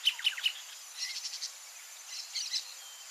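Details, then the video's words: Greater thornbird singing around its nest: three sharp chirped notes open, then two clusters of quick, higher chattering notes, with a faint steady hiss behind. "CANTO DO PÁSSARO GRAVETEIRO no entorno do ninho (PHACELLODOMUS RUBER), GREATER THORNBIRD"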